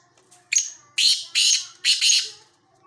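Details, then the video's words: Black francolin, known locally as kala teetar, giving its rasping call: one brief scratchy opening note, then three longer harsh buzzy notes in quick succession, with faint background hum. "kala teeter ki awaz"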